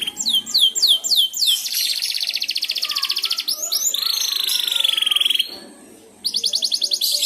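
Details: Young canary in song practice (ngeriwik), triggered by another canary: descending whistled slurs, a long rapid rattling trill, a lower buzzy trill, a short pause, then another quick trill.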